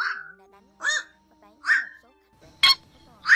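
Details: Black-crowned night heron flock call combined with biting calls, played as a lure for night net trapping during August 2024 migration: harsh, nasal squawks rising then falling, a few spaced calls ending in sharp, explosive barks.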